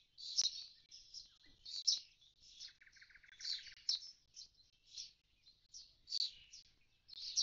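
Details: Common starling at an empty nest box after the young fledged: high chattering warble broken by a dry buzzing rattle midway.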